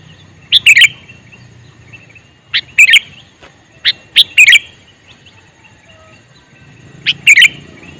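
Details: Male sooty-headed bulbul calling, short bright bubbly notes given in quick pairs and triplets every couple of seconds, loud and close, over a faint steady hum.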